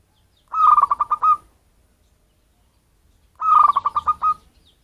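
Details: Zebra dove of local wild origin, its sound used to attract birds: two matching phrases about three seconds apart, each a quick cascade of pulsed, hollow cooing notes.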